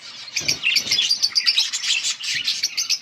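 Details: A short burst of bright, continuous budgerigar warbling from yellow birds, high twittering notes running without a break, with faint low thumps underneath.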